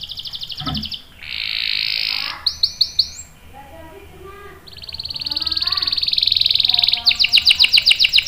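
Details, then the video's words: Canary singing a long 'ngerol' roll: buzzy sustained high trills alternate with clipped repeated notes and short pauses. Quieter low sounds run underneath. "KENARI GACOR NGEROL PANJANG"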